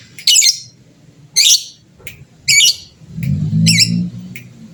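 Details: Fighter-type lovebird sound, played to provoke rival birds into calling back. Short, harsh, high chattering bursts come roughly once a second, over a low rumbling background hum.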